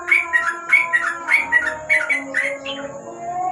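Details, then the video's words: Under a lamp after dark, a sooty-headed bulbul gives a brisk ropel phrase: paired whistled notes repeated about twice a second, bubbly and slurred, fading into soft background tones at the end. "Burung trucuk,An ropel malam hari dibawah lampu"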